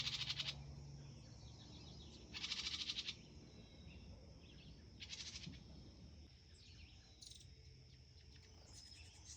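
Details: Female Carolina wren (Thryothorus ludovicianus) at the nest while feeding her young, giving harsh, raspy bursts with thin high squeaks between them.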